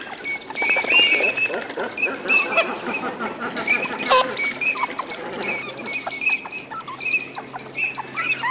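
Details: Wintering Eurasian teal displaying in Aiguamolls de l'Empordà wetland, Spain, 25 December 2015: many clear, high, short whistles sound again and again over a constant busy chatter of other ducks calling together.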